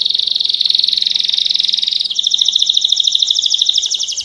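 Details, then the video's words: Master Belgian canary singing pure 'campainha' song: a dense, fast, lower trill that switches after about two seconds to a higher, more sharply pulsed trill. "Canário Belga MESTRE do CANTO CAMPAINHA PURO"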